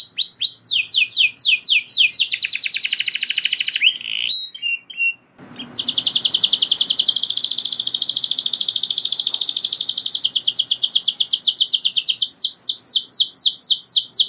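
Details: Canary rolling continuously, meant to trigger other canaries to sing along: long fast high trills of sweeping notes broken by a short quiet gap with faint noise, then a buzzy sustained roll and repeated slurred notes.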